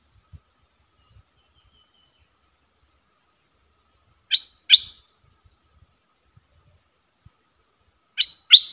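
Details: A streak-eared bulbul, a decoy bird, gives two pairs of sharp, high notes about four seconds apart, with faint low knocks in the background; a wild bird came down in response; recorded 3 June 2021.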